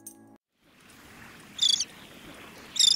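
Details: A Lesser crested tern (Thalasseus bengalensis), a coastal bird of Sri Lanka, gives two harsh, grating, high calls about a second apart over a soft background hiss, after a brief musical note at the start.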